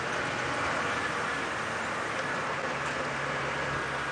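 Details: Steady broadband rumble and hiss from a vehicle on a sunset safari drive, with no animal calls standing out.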